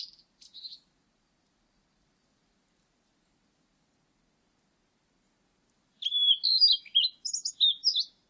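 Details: Faint high chips open the clip of a Blue-and-white flycatcher, followed by a long quiet gap, then a lively two-second string of whistles, slurs and twittering notes.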